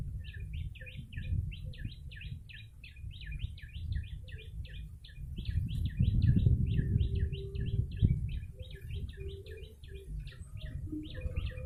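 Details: Lively yellow-bellied prinia calling, used for luring birds: a long, rapid, uneven stream of short squeaky chirps, nearly four a second, with a low rumbling background that swells midway.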